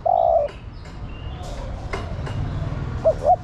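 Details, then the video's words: Female spotted dove calling to a male: one long, low, steady coo opens, then after a quiet gap two short, clipped notes close the clip, with faint background hiss. "Cu gáy mái thúc trống + gọi trống cực nhay"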